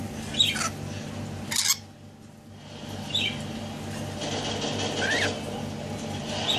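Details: Pet rainbow lorikeet (Trichoglossus moluccanus), male, hatched October 2013, during indoor play time, gives brief high chirps and a few harsh, scratchy bursts at irregular intervals over a steady low indoor hum.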